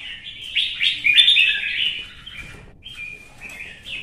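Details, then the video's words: Red-whiskered bulbul singing competitively after being provoked: a dense, fast warbled phrase followed by softer, thinner whistled notes. "CHÀO MÀO | Kè kích chim hót đấu kích ché căng lửa"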